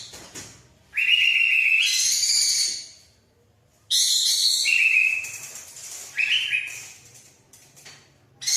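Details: Local sooty-headed bulbul singing clear whistled phrases, each a steady tone stepping up to a higher note. The phrases last one to two seconds with silent gaps between them.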